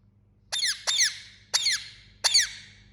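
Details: Pet Indian ringneck parakeet uttering four shrill, grating squawks, the first two close together, then two more spaced about a second apart, each dropping in pitch, over a faint steady hum.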